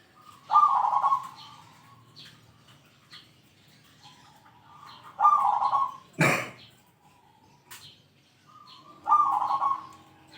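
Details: Actively singing zebra dove giving the heavy 'kung' call used to challenge rivals. Three rolling, burbling coo phrases about four seconds apart, interrupted once by a sharp click-like noise.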